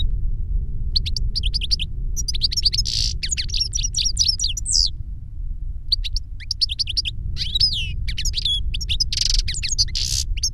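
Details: Long twittering song of caged European goldfinches, a master singer and a young bird that copied its song from a CD; dense rapid chatter, buzzy passages and curved whistles, one pause midway, constant low hum behind.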